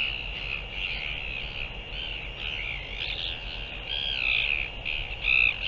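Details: A Northern royal albatross, recorded 15 January 2023, gives drawn-out, wavering, nasal calls that rise and fall with no pause, growing louder near the end, over a low wind rumble.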